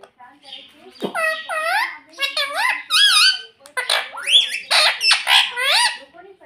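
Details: A talking parrot, said to say "mummy" and "papa", delivers a steady stream of shrill, speech-like phrases with up-and-down inflections. Short pauses fall between the phrases.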